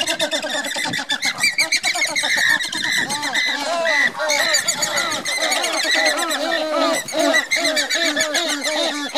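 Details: Andean flamingos in a marching display; a dense, continuous chorus of many overlapping nasal honks and grunting notes, with no pauses throughout.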